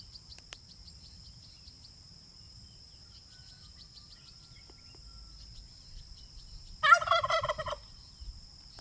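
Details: Pastured domestic turkey foraging on an off-grid homestead gives one loud, rattling gobble burst near the end after a long quiet stretch, over a steady high insect whine.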